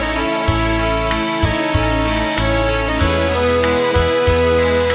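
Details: Keyboard and piano music with a steady beat and sustained chords, and no animal voice.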